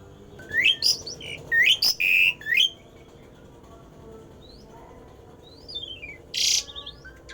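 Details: A rare odd song from a Javan pied starling, intended to set other starlings singing: a quick burst of loud rising whistles and held notes, then quiet with faint descending notes and one harsh rasp.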